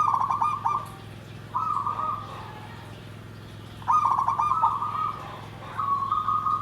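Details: Zebra dove, called perkutut, singing its nggandem gedhe garing style: two song phrases, each a quick warbled trill followed by a long level coo. The phrases are about four seconds apart with low hum between them.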